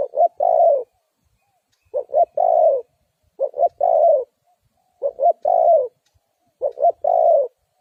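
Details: Spotted dove luring call used by trappers of wild doves, with five steady phrases roughly every one and a half seconds. Each phrase is two short deep notes leading into a long mellow coo. Nothing else audible.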